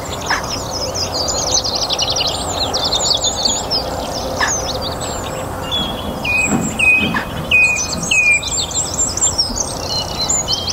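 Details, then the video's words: Song thrush singing at the end of a warm, sunny spring day in a North Antrim garden during the evening chorus; high, varied whistled and chattering phrases, with other birds singing in the background. "Song Thrush - evening chorus"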